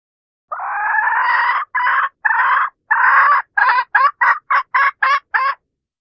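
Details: Calling hen, a decoy to draw in roosters, giving a long harsh note followed by several drawn cackles that shorten into a quickening series of clipped notes, with silent gaps.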